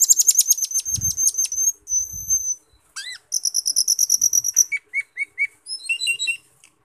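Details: Cucak keling, a glossy black bird with red eyes, singing a loud, shrill song used to spur other birds into singing: rapid high buzzy trills, a rising whistled phrase, a fast chattering series, then short repeated whistled notes.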